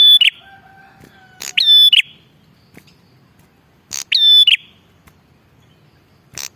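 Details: Bar-winged prinia calling, a recording meant to lure wild prinias: buzzy whistled phrases after crackling bursts, repeated with pauses, plus faint long lower whistles early on.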